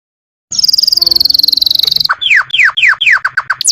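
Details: Canary singing a training song for other birds: a long, even, high buzzing trill, then a run of loud, falling whistled notes repeated several times a second, with faint low humming behind.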